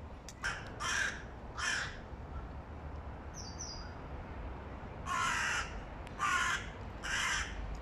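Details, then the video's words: Young male hooded crow with a breaking voice, August 2022: raspy, broken caws in two bursts, two early and three later, with a brief thin high chirp between them. "У молодого самца вороны ломается голос \ Young male crow has his voice breaking"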